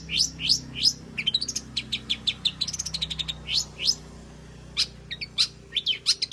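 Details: Long-tailed shrike singing a rich mimicked repertoire to encourage other shrikes to sing: rising slurred whistles alternate with fast bursts of sharp chirps and clipped high notes.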